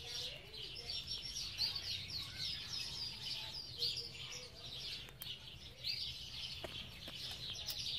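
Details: Belgian canaries in an aviary, a lively chorus of high, rapid twittering and rolling trills from several birds, pulsing in waves, with faint low rumble and a few clicks.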